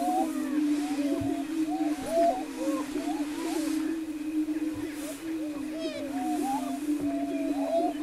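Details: Near Wray, Colorado, on April 17, 2011, greater prairie-chickens on their lek keep up a low continuous boom, topped by frequent curling whoops and chattering notes from many birds.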